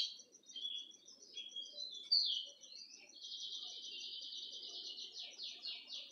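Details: Rusty-collared Seedeater (golado), a kept bird, sings softly from a distance: varied whistled phrases and quick slurred notes, then a long, even, high buzzy trill pulsing steadily for about three seconds.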